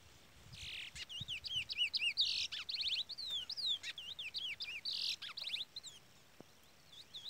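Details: Chestnut-bellied Seed Finch, a pardo (brown) bird, giving the Trola or Trolinha song: a quick run of looping whistled notes rising and falling, broken by short buzzy bursts, while a chick peeps.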